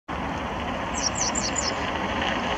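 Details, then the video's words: Grey wagtail calling at Weiyang Palace Relics Park on 26 January 2019: four quick, sharp, high metallic notes in under a second, over a steady roar of traffic. "Grey Wagtail calling"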